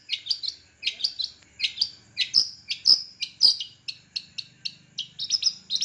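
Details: Long-tailed shrike, Madura type, singing from one perch: rapid clusters of sharp high chips and short buzzy notes, with a few louder clicks, in a fast irregular stream.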